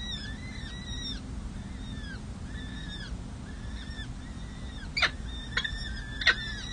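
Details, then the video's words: Six- and seven-day-old peregrine falcon chicks, four of them, fed at a nest on San Jose City Hall in May 2024: curved piping notes repeated in a steady series, then three loud knocks near the end. "San Jose CH Falcons: Hartley feeds 4 chicks 🐥🐥🐥🐥 Monty serenades 🎶"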